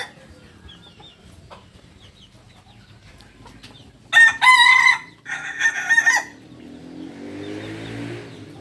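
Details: Kukuak Balenggek rooster, a chicken native to Solok, West Sumatra, crowing in two loud, harmonic, stepped bursts, the first about a second long and the second shorter after a brief gap, over a quiet background that ends in soft hiss.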